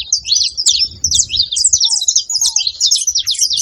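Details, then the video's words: Noisy saffron finches: overlapping high, bright, clipped chirps and short trills fill the whole stretch, with two soft, low, downslurred whistles near the middle. "Canarinhos da terra fazendo barulho"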